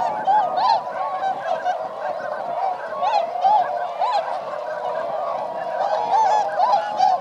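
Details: Swans flying above rice fields at Motono, Inzai, Chiba, Japan, in December 2014, a flock of 905; loud, busy honking with many quick overlapping calls, some with abrupt upward and downward bends.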